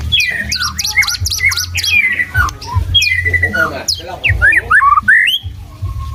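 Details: Singing white-rumped shama constantly switching tunes: rapid series of high zigzag whistles, slurred descending notes and bright upswept phrases, richly varied, with a steady low-pitched background hum throughout.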